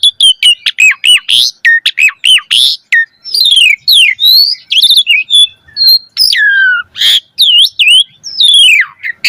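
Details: Lively, rich song of an Asian pied starling kept in a cage, used to prompt trained birds: rapid chattering notes repeated in quick succession, then swooping whistles, dips and harsh buzzy bursts over nine seconds.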